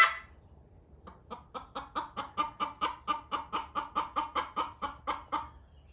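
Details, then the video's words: Hen clucking in a barn after laying an egg instead of using the nesting box: a steady run of about eighteen sharp, evenly spaced clucks, rising slightly in loudness, at roughly three per second. "Chicken Laying Egg Sound - Loud Hen Noises"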